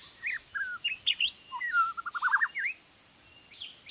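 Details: Caged white-rumped shama serving as a trapping decoy, described as weak, singing short whistled phrases, then a rapid stuttering run of clipped notes, a brief pause and a few high, scratchy notes at the end.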